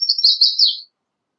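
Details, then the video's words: High, sibilant American redstart song: a continuous wavering stream of thin notes lasting under a second, dropping slightly at the close; no other sounds. "American Redstart Singing - Candelita Norteña Cantando"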